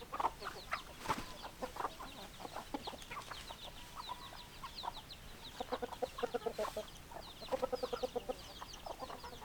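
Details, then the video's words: A flock of chickens gives many brief, clipped clucks, some in rapid runs of three to five, several hens calling over one another, with a few drawn-out tonal notes and a low steady background hiss. "Chicken Sounds Noises Hens Clucking Roosters Crowing"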